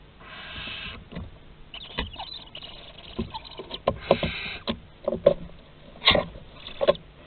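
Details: Barn owls at a nest box in Théding, France, 30 August 2020: one long breathy hiss early on, then scattered knocks, scrapes and short rasping notes from movement inside the box.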